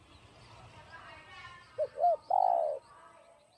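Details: Spotted dove, 'giọng đồng' style urging song for stimulating decoy doves. Muffled murmuring comes first, then a single phrase of two short rounded notes and a long falling coo.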